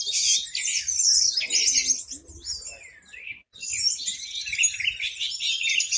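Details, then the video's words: Caged Orange-headed thrush singing loudly with its tail spread, used to prompt other birds to sing; dense, high, rapidly varied twittering phrases, a brief pause near the middle, then another busy burst. "Anis merah teler pules volume joss buka ekor pancingan burung yang lainya ikut bunyi"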